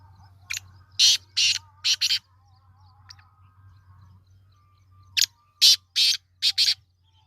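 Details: Kala teetar (black francolin) recorded 22 February 2025, repeating its grating call twice: each series is about five harsh, buzzy bursts. Soft whistles of other birds sit between them over a constant low hum.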